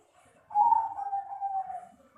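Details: Zebra dove of the Bangkok perkutut type, ringed PB 68, with a voice described as fine 'jian': one long, smooth, steady coo that holds its pitch for about a second and a half before fading, with a quiet background.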